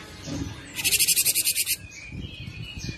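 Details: Cinereous tit, a recording meant for training and luring songbirds: one harsh, buzzy rattle of about ten rapid pulses lasting roughly a second, over a faint low background rumble.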